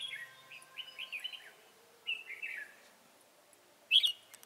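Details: Red-whiskered bulbul used as a decoy for trapping, singing soft warbled, bubbling phrases of slurred whistles, then a short louder sharp note near the end, over a faint steady background hiss.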